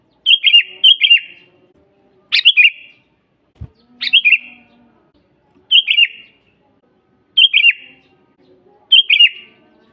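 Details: Sooty-headed bulbul singing, meant as a master recording for teaching and luring bulbuls: seven quick bubbly whistled phrases in steady succession, some paired closely, with one soft low thud midway.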